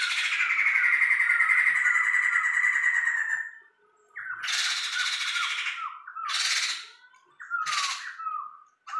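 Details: Singing tame Sumatran laughingthrush: an extended harsh, churring chatter for over three seconds, followed by three loud bursts of rasping noise mixed with quick whistled flicks.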